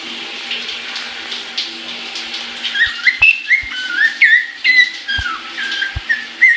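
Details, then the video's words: Pet caique singing happily in the shower, filmed January 2016: after running water alone, a string of short bright whistles and chirps begins, with a few sharp clicks mixed in. "Caique Shower Song"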